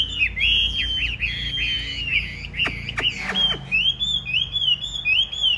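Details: Chinese hwamei kept as a cage bird, singing strongly in a fighting display. Long, rich whistled phrases wander and slur, then give way to looping, rising-and-falling whistles, with a few sharp clicks between them.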